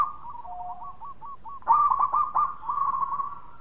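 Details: Local zebra dove singing to lure other doves: rapid series of short high cooing notes near one pitch, then a louder burst of clipped, stuttering coos with a sustained trilling tail.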